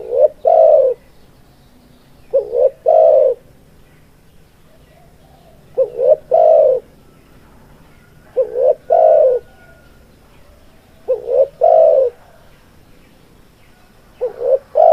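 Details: Spotted dove (tekukur) singing a long run of repeated phrases, each a brief rising two-part note and a drawn-out falling coo, about every 2.7 seconds, over a faint low hum.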